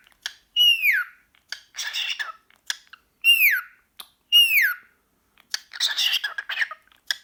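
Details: Pet cockatiel excited by a sock, uttering loud downward-sliding whistled calls with bright harmonics, alternating with harsher raspy chatter bursts, roughly one call per second indoors.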